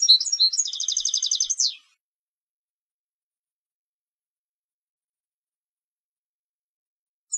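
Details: Competition European goldfinch giving a single bright song phrase, a few sharp twittered notes running into a rapid pulsing trill with a falling end, followed by silence.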